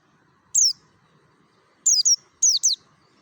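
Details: Merapi mountain white-eye, a wild-type lure recording to make other white-eyes sing: a lone high falling tweet, then two doubled bursts of thin, sharply descending chirps.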